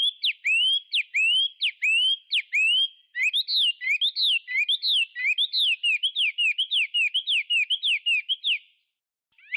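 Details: Chinese hwamei song: a steady series of loud whistled notes sliding down and up, repeated quickly, then a faster and more varied run of slurred whistles lasting most of ten seconds.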